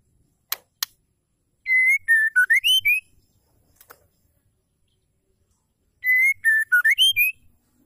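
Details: Female white-rumped shama giving a call meant to stir males into singing: a clear whistled phrase of steady notes that dips, then rises to a higher note, heard twice, with sharp clicks before each phrase.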